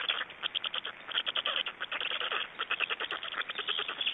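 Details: Black storks feeding at a nest in Estonia on 26 May 2012, heard as a busy stream of rough, croaking pulses repeated rapidly with shifting loudness.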